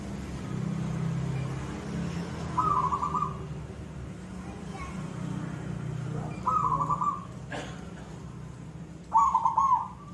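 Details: Zebra dove (perkutut) singing in the koong style: three short rolling cooing phrases, evenly pitched and slightly trilled, spaced a few seconds apart over low rumbling background noise and faint voices.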